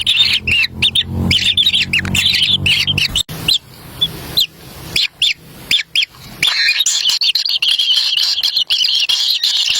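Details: Kingfisher chicks in a wild nest begging for a black lizard carried in by their parent; rising chirps in quick series, a quieter spell midway, then a continuous shrill chatter.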